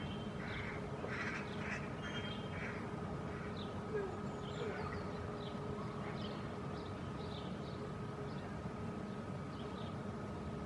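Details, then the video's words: A hooded crow fledgling begs for food from a parent perched in a shady maple at midday during a dry heatwave, giving harsh, hoarse squawks, then thin scattered chirps, over a mechanical hum; the parent does not feed it. "Interaction between Hooded Crow fledgling and parents"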